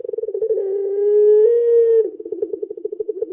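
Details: Puter pelung dove with a single sustained lure coo. Rapid throbbing pulses smooth into a long, slightly rising mellow tone, which then breaks back into fast pulsed cooing.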